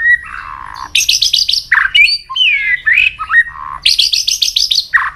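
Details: White-rumped shama singing a many-voiced training song: a low whistle, bursts of rapid buzzy notes, varied slurred whistles and chattering phrases, repeated buzzy series near the end.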